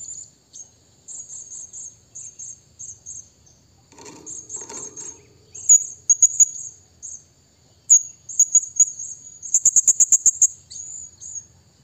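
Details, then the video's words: Blue-crowned hanging parrot calling a rival: very high, thin squeaky notes in quick trills and short bursts, with a dense rapid chatter near the end; brief low rustling sounds midway. "burung serindit bunyi memanggil lawan"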